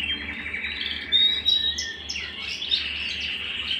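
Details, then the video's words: A canary sings at home: a fast, high warbling song of short rolled trills and quick chirps, with sharp whistled notes and swooping phrases over a faint low hum. "canary singing at home"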